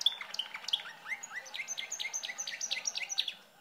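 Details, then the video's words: Pet canary singing: a fast, high run of chirps and whistled notes, rising sweeps and sharp repeated trills several times a second, over faint background noise. "sound of canary bird talking"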